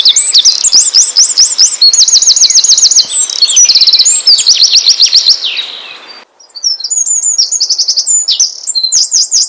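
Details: Asian brown flycatcher song played to provoke other birds into singing: rapid, high, thin whistled notes in quick repeated runs and trills, slurred up-and-down phrases, with a brief pause near six seconds before the notes resume.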